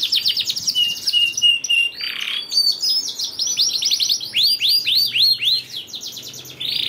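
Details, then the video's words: Canary singing, used as a lure so that sluggish canaries start singing quickly: rapid high chips, a level whistled note, a brief harsh burst, then a run of arching slurred notes repeated several times a second. "PANCINGAN KENARI JAMIN AMPUH LANGSUNG BUNYI SEKETIKA DALAM HITUNGAN MENIT"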